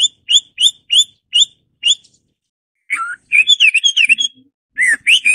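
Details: Garrulax canorus, the Hwamei, opening with six evenly spaced sharp upslurred notes, then after a pause a fast jumble of warbled whistles and a few final loud slurred notes.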